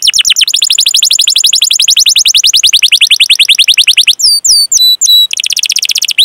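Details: Canary song used as a training lure for other canaries, especially young ones or birds that have stopped singing: a long rapid trill of sharp repeated notes, then a few separate whistled swoops and another fast roll.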